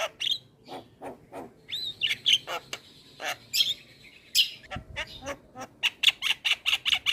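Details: Javan myna song used as a training recording for other mynas: raspy, broadband squawks mixed with sharp whistled notes, ending in a fast series of rhythmic clicking chirps.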